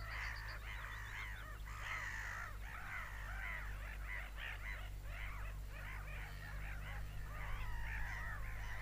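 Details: A crowd of seagulls screams continuously, with dense overlapping yelping cries arching up and down and a few faint high twitters, above a persistent low rumble.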